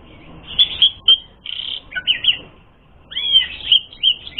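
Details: Lure song of the Asian pied starling meant to provoke fighting, made of loud whistled notes, buzzy held tones and twisting slurs, broken by a brief pause before a fresh burst of looping whistles.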